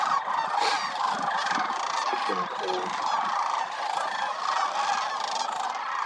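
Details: Thousands of wintering migratory sandhill cranes at Willcox Playa Wildlife Area call without pause, layered rattling trumpet notes from a crowd of over 20,000 birds, with a few nearer calls standing out mid-clip.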